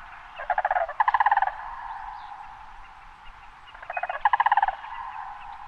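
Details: Sandhill cranes in a restored meadow marsh at Red River Wildlife Management Area near Elk City, central Idaho, give two rolling, rattling bugle bursts made of rapid pulses, about three seconds apart, over a steady hiss.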